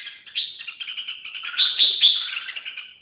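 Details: Red-whiskered bulbul singing: a dense, unbroken stream of bright chattering and warbled notes lasting about three seconds, with no other sounds.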